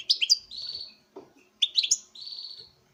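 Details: Captive-bred male European goldfinch singing to a female during breeding: two short bursts of high chirps, each followed by a drawn-out buzzy note held steady for about half a second, with a pause between the bursts.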